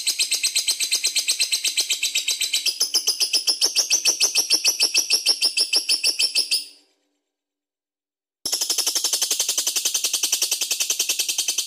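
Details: Loudly singing lovebird in the ngekek style, used to get other birds singing. Dense, very fast shrill chattering runs almost continuously, shifting slightly higher midway, breaks off briefly, then carries on just as rapidly.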